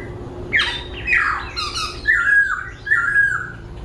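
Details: A captive laughingthrush sings while dancing, switching voices constantly: a rich, varied run of slurred whistles and harsh squawky notes, changing phrases every half second, indoors with faint room hum.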